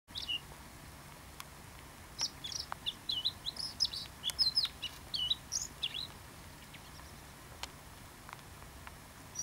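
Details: A first-winter male bluethroat sings a quick, varied jumble of high, sharp twitters and chirps over a few seconds, against faint steady background hiss, at Ria Formosa Natural Park, Faro, on 30 October 2012.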